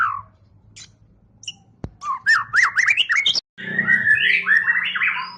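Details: Champion competition white-rumped shama in full tembakan: after a sharp click, a fast string of rising-and-falling whistled notes and harsh chips builds into a rich warbling torrent after a brief break.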